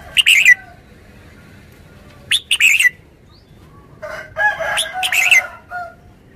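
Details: Caged red-whiskered bulbul: short bright warbled phrases of slurred whistles, one near the start, a double burst mid-way and a longer jumbled phrase toward the end, with low rustling between.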